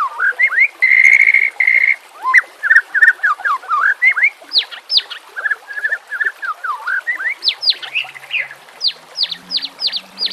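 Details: White-rumped shama song for training captive birds, with nature sounds and trickling water: a long pure sustained whistle, varied swooping warbled phrases, then a run of sharp high downslurred whistles, with faint low croaks.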